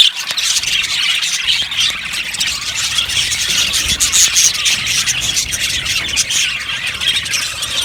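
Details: Aviary colony of yellow budgies giving a continuous soft-edged chatter of high chirps and scratchy warbles, slightly quieter, many birds overlapping throughout.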